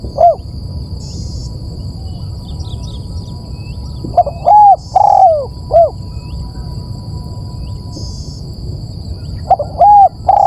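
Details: Repeated cooing of a spotted dove used for luring birds: phrases of quick hoots and a long, gently falling coo, spaced several seconds apart, with faint high chirps and steady hum.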